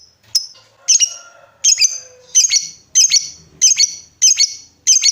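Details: Lovebird prompt calls meant to trigger long ngekek trills in other lovebirds: piercing squeaky double chirps repeated evenly, about one and a half per second.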